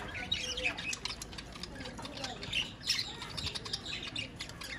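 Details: Several budgerigars chatter nonstop with sharp squeaks and scratchy chirps, high and irregular, scattered through the whole stretch without pause.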